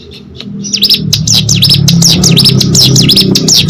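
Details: Hill prinia (ciblek gunung), a kept songbird singing actively, begins after a brief quiet start with a fast run of sharp, high V-shaped notes repeated rapidly and steadily, over a low rumbling hum.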